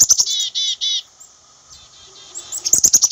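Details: Black-capped chickadee giving high thin introductory notes followed by three harsh, buzzy 'dee' notes, a softer run of fainter buzzy notes, then a quick burst of sharp high chips at the end.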